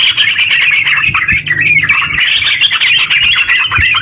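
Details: Rapid chattering ngeropel song of a lively yellow-vented bulbul, played to provoke other bulbuls into song. Unbroken high twitters and chirps rise and dip, with scattered knocks and a soft low hum behind.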